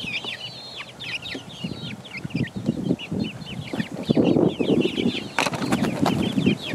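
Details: Several four-week-old chicken chicks pecking, peeping rapidly and irregularly, about three notes a second, thin downslurred calls over loud scratching and tapping.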